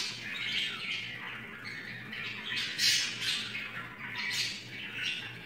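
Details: Budgerigars fighting over a mouse give harsh, scratchy squawks and chatter in quick, overlapping bursts.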